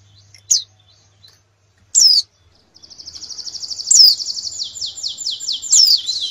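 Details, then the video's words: Canary master song for readying birds for a national contest: a few isolated high chirps, then a fast, steady trill that builds into a rolling series of loud, sweeping, descending notes. "Masteran kenari terbaik untuk persiapan lomba nasional"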